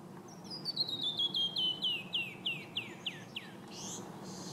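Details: Male canyon wren singing at Red Rocks Park, Morrison, Colorado, on 13 March 2015: a cascade of clear whistled notes tumbling down the scale, slowing as they fall, then closing with a couple of buzzy notes.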